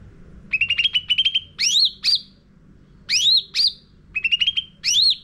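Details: Sooty-headed bulbul lure song for training caged birds: quick runs of short chirped notes, then rising and falling whistled slurs in bursts with pauses between, over a quiet low hum.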